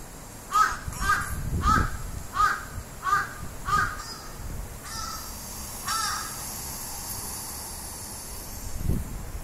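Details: Crow that ran away, startled by its own voice played back from a phone recording: a series of about eight harsh, mid-pitched caws roughly every half second to second, then quieter background with a faint thump.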